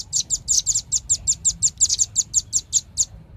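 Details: Continuous rapid series of roughly eighteen high, sharp 'chit' notes from a velvet-fronted nuthatch, evenly spaced and loud, ending abruptly; faint low rumble behind.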